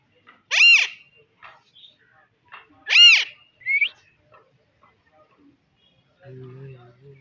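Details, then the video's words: Alexandrine parakeet calling with two harsh, ringing screeches spaced about two and a half seconds apart, then a short squeaky rising note; a low hum enters near the end. "Alaxendrine Parrot Natural Sound"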